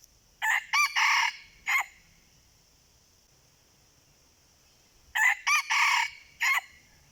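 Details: Wild red junglefowl answer a decoy with two loud crows, each a clipped series of four harsh bursts, the first two short and the third drawn out. The crows come about four seconds apart, with a faint steady high tone between them.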